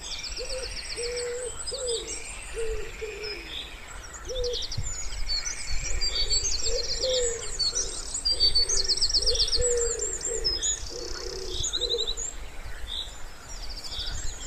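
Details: Low, mellow wood pigeon coos repeated in short groups by a quiet pond in spring, beneath a busy chorus of high, rattling trills and chirps from smaller birds.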